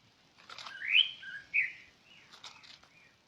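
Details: Bird uttering a couple of rising, whistled notes with a lower slurred note between them, then soft faint chatter.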